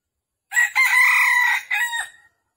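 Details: Red junglefowl call used to lure wild birds into a trap in Vietnam on the morning of 13 December 2021, described as a hen calling a rooster: a loud, harsh, drawn-out crowing phrase with a brief break and a short falling ending, in clean isolation.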